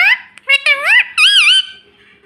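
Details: Squeaky high-pitched words from a pet ring-necked parrot indoors, several wavering, speech-like syllables run together, ending in a long drawn, rising and falling call.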